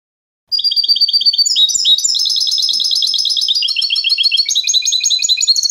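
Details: Canto limpio, the clean contest song of a European goldfinch for educating young birds: after a short pause, a long unbroken stream of high tinkling twitters, buzzy trills and changing rapid phrases.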